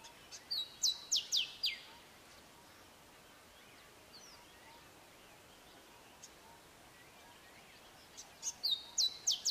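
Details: A male Grey Sunbird sings his short, sharp phrased song: two short bursts of sharp, high, down-slurred notes after a thin whistle, with a quiet pause of several seconds between bursts.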